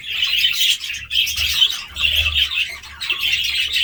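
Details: Budgerigar chatter in roughly one-second bursts of busy, high warbling chirps separated by brief dips, about one burst per second, over a faint low hum.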